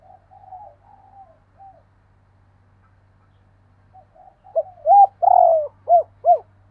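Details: Soft distant cooing of one spotted dove, a quiet gap, then a loud nearby phrase of rising and long falling coos ending in two short arched notes, a pair cooing together.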